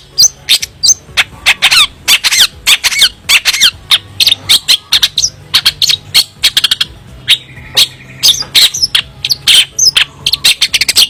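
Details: Long-tailed shrike, locally cendet, in lively varied song. Rapid, loud, harsh chirps and sharp high notes pour out almost nonstop, with a few drawn whistles near the end, over a steady low hum.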